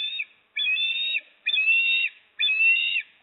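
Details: Nest livestream, Port Lincoln, 26 September 2024: an osprey calls while the father delivers a fish and the mother eats. Sustained flat whistles, roughly half a second long, repeat at an even pace of about one per second.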